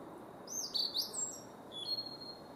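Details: Male blue-and-white flycatcher singing at Kawaguchiko Field Center, Japan, in May 2017: a quick cluster of bright, high twittering whistles, then a lower, steady drawn-out whistle and a final high held note.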